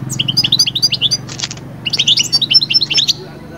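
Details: European goldfinch song meant to lift birds out of moult toward breeding condition; quick twittering phrase, a short noisy burst, then another run of bright chirps, over a steady low hum.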